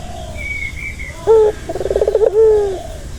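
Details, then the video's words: Turtle dove calling to calm a stressed dove. A thin high whistle from another bird comes first, then a short note, a fast rolling trill and a long falling coo. "Suara santai yang bisa mengobati burung puter yang lagi stres"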